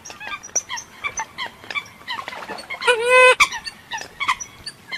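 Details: Eurasian coot recorded outside Vietnam: quick sharp notes repeated rapidly, broken midway by a single loud, rasping, harmonic honk, then more clipped notes.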